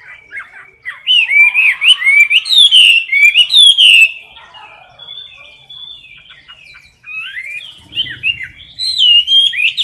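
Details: Competition singing from a caged Chinese hwamei, recorded close up: rapid series of loud slurred whistles and chattering notes, a softer sustained passage, then renewed bright whistled phrases with a faint low rumble.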